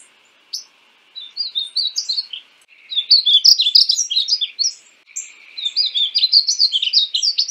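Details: Rapid sweet warbling from a painted bunting (Passerina ciris): one soft opening phrase, then two louder runs of tumbling high chirps, each roughly two seconds, separated by brief silences.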